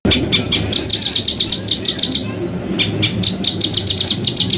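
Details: Songbird used as a master recording for training contest birds, with a coarse rolling song: rapid runs of sharp, high chirps repeated about eight times a second, broken by a short pause, then resuming.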